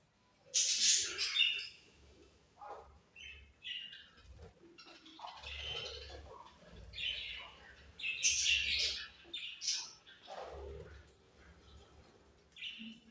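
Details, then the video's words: Budgies chirp in irregular bursts of high squeaky notes and scratchy warbles, with quieter pauses and a low background hum. "Very Sweet Budgies Chirping Sounds"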